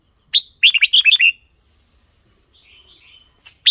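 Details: Red-whiskered bulbul, caged, singing for decoy use or to excite other birds: a brief opening note, then a rapid rollicking phrase of about eight bright chirps, a soft trailing warble and a final sharp note.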